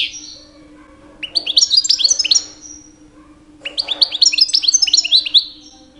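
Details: Male European goldfinch, two years old, singing during the mating season to attract females; two bright bursts of quick liquid twitters and tinkling notes, separated by a silent gap of about a second, over a low constant hum.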